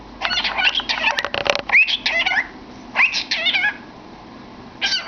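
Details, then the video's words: Cockatiel with its head in a cardboard tube, dense warbling chatter with rising whistled slides, a few sharp clicks, then quieter gaps and a final short burst. "Funny Bird Singing in a Tube"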